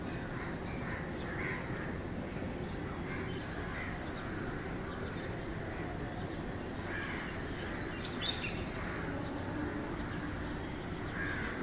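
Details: Indian roller recorded on 22 January 2019 gives harsh, rasping, crow-like croaks in irregular bursts a second or more apart, over a steady low rumble of wind or distant traffic.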